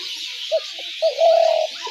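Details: Spotted dove calling, a recording used to lure doves into traps: two short low coos, then a longer steady coo, against a constant high hiss.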